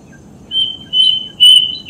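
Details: Three loud, sustained whistles from a plaintive cuckoo (Kedasih), evenly spaced and nearly level in pitch, from a lure recording used to get caged birds singing.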